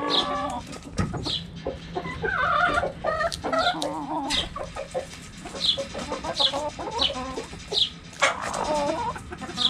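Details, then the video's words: Hens in a backyard flock clucking as they peck at a cabbage: busy low clucking chatter, a thump early on, and high chirps repeating roughly once a second over a faint hum. "Chicken Sounds Noises Hens Clucking Roosters Crowing!"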